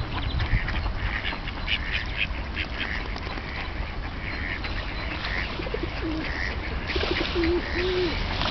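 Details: Winter flock of wild ducks on the Tourujoki river, Jyväskylä, Finland, where warm mill water keeps it ice-free; scattered quacks from many birds, then a few louder, lower, drawn-out nasal calls near the end, over a continuous background rush.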